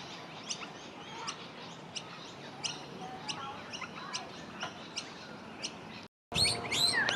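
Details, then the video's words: Two juvenile noisy miners beg while their parents feed them, scrambling and fighting for food, in early spring at Keperra, Brisbane, Australia, on 17/08/23: a steady stream of thin, high chirps, nearly three a second, then a louder, busier burst after a short gap. "Juvenile Noisy Miners being fed"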